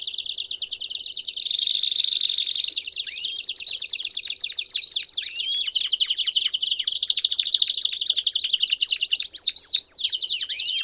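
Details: Several Belgian canaries sing together to prompt a canary into song. A long, sustained high trill gives way to quick descending chips and repeated swooping whistled notes toward the end.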